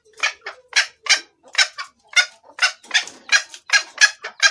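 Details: Female red junglefowl calling for a male, a lure recording: uneven bursts of short, raspy clucks, some doubled, with brief pauses between groups and no background noise.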